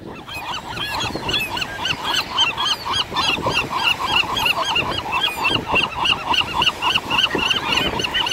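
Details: Seagulls squabbling over chips: a dense, continuous chorus of harsh, nasal, laughing calls repeated several times a second throughout, over a murmur of background noise.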